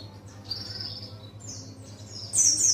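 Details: Pleci buxtoni practising ngalas song, soft thin high whistles at first, ending in a sudden loud, bright twittering burst, with a low steady hum behind.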